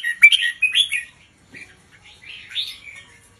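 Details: Red-whiskered bulbul teacher bird singing slowly for young birds to copy: a loud, rich warbled phrase, then softer, thinner trailing notes after a short pause.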